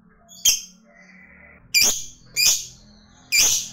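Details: Fighter lovebird giving short 'ngetik' ticking notes before its long chatter, used to rouse other lovebirds: four sharp, harsh, high chirps spaced about a second apart over faint background noise.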